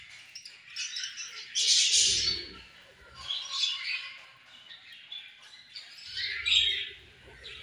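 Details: A group of pet budgies feeding and having fun together: dense, raspy warbling chatter swelling into three louder bursts, with quieter chirps between them.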